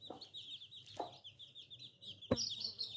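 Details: Young chicks peep incessantly in thin, quavering notes, interrupted by soft thuds and one sharp loud click after two seconds.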